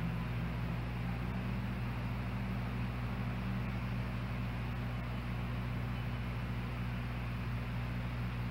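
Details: Constant low engine drone with broadband hiss, near a canyon osprey site, and no animal calls.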